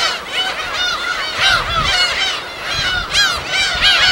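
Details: Wild gull colony on an uninhabited island off Korea's west coast: shrill, arched calls from numerous birds overlap continuously, with louder clusters near the start, middle and end.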